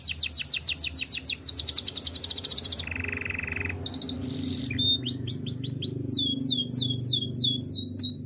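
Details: Belgian canary in training song, delivering fast repeated whistled notes, a low rattling trill, a brief higher buzz, then bright rising sweeps repeated several times per second, with a soft low hum beneath.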